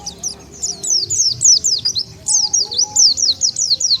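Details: Oriental white-eye lure sound to attract wild white-eyes: evenly spaced, high, down-slurred tweets, roughly four per second, over a soft low rumble.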